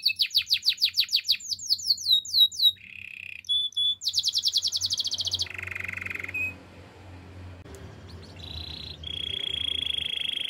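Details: A canary sings for training, opening with fast rhythmic chains of falling whistles, then short buzzy rolls, a rapid high rattle, and several sustained trilled tours at lower and higher pitch, with quiet gaps between.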